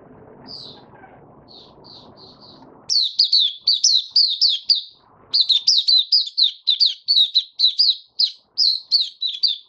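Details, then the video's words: White-eye held for song, recorded 23 March 2022 while its diet was adjusted for warm humid weather: a few soft high notes over low noise, then a long fast torrent of sharp, descending chirps, briefly broken and resumed. "Mata Puteh Kitaro Video 1 buka sing"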